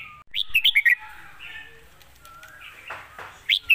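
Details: Red-whiskered bulbul singing with phrasing admired as fine and light: a fast run of four or five loud, bouncy whistled notes, softer slurred whistles in between, and two sharp notes at the close.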